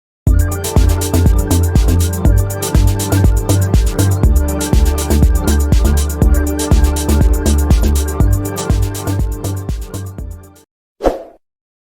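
Steady electronic music with a regular beat about twice a second fills the recording, then a brief burst of sound at the end; no animal voice is heard.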